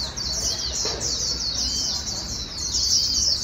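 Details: A white-eye, used to stir other white-eyes into fast singing, pours out a fast, high, thin twittering warble that runs unbroken throughout, with only faint low background hum beneath.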